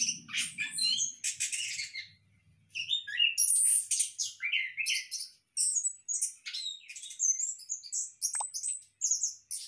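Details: Captive Orange-headed thrush housed in a hanging breeding cage pours out rapid high chirps, slurred whistles and clicks in irregular phrases, with low murmuring noise only at the start.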